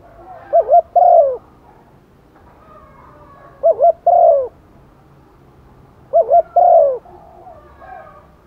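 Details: Female spotted dove calling to males in the rainy season, a lure bird: three phrases of soft cooing, each two quick notes then a longer falling coo, repeated about every three seconds.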